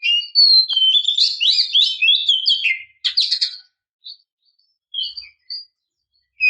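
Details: Oriental magpie-robin female calling to draw out males: a long run of mixed whistles and warbles lasting nearly three seconds, then a scratchy burst and a few short separate notes.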